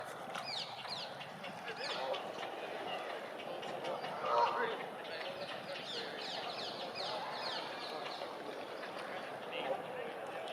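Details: A newly hatched grey heron chick, the year's first, on a nest on the Serpentine island clatters its bill while begging for food: a fast, dry, ticking chatter that runs almost without a break, over a steady rushing background.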